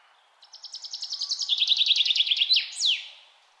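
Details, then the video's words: One full bird song phrase: soft high chips grow louder and faster, step down to a lower steady rattle, then close with two quick downward-sweeping notes. "Birds in nature |peaceful sound"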